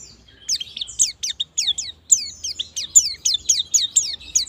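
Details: White-eye lure song to encourage ngalas and nembak singing: a quieter, evenly spaced series of thin, high descending chirps repeated several times a second over a faint low hum.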